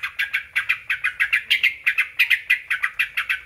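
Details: Sooty-headed bulbul singing to provoke other bulbuls to respond: sharp chirped notes, often in pairs, repeated roughly three times per second. Loud and close, the song is the only sound.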